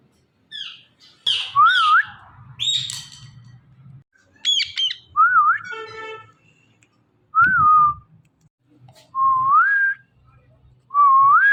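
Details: Talking ringneck parrot saying "Mithu": a few harsh squawks, then rising whistled two-note phrases repeated roughly every two seconds with quiet gaps between them.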